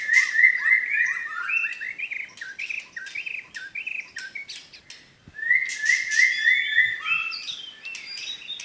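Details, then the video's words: Medan white-rumped shama delivering 'tembakan' bursts: repeated short whistled notes in quick runs, brief pause mid-way, then a fresh volley of bright whistles mixed with high scratchy ticks. "tembakan burung murai batu medan"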